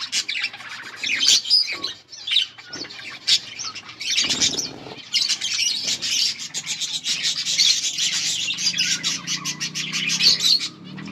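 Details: Mating calls of a breeding budgerigar pair, August 16, 2024: long stretches of continuous buzzy warbling chatter broken by short pauses and sharp clicks, with a faint low hum.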